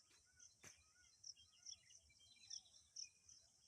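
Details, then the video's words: Morning birds chirping outdoors: short, sharp, high tweets at irregular intervals about half a second apart. Softer, lower twitters sit beneath them, over a steady high-pitched hiss. "can u hear the birds chirpings"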